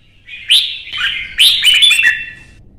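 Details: A Vietnamese red-whiskered bulbul sings hard in a song contest after being provoked. Two loud bursts of bright, rapid warbling notes slide over a steady whistled tone, then fade.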